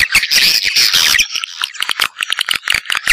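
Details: Swiftlet calls labelled Sp M567: a loud jumble of high twittering first, then spaced sharp chirps and clicks with brief thin whistles.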